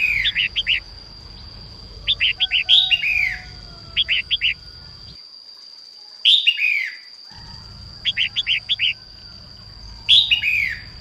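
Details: Female red-whiskered bulbul singing in the morning to stimulate males: short bursts of quick, bright chirped notes, repeated every couple of seconds with brief pauses, over a steady high electronic tone.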